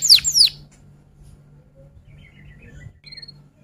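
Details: F1 canary tutor song in roll-and-'tembak' style: two loud, steep, downward-sliding whistled notes, followed by faint, quiet twittering.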